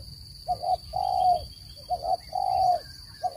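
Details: Spotted dove lure call for trapping birds: soft low cooing in a short-short-long pattern, two full phrases, over a faint steady high whine.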